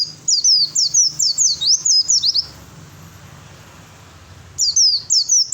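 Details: Oriental white-eye, a male fighter bird, sings to provoke rivals into answering: rapid high twittering phrases of sharp descending notes repeated about twice a second, a pause of two seconds, then the twittering resumes.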